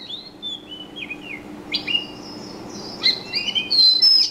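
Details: Birds chirping steadily, with rapid high twittering phrases of short upward and downward slides, sometimes overlapping as several notes sound together, growing busier and louder in the final second.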